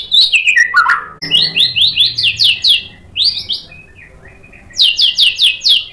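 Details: White-rumped shama song used as provocation: descending slurred notes, then rapid series of high repeated chips, a quieter gap, and another run of sharp repeated notes.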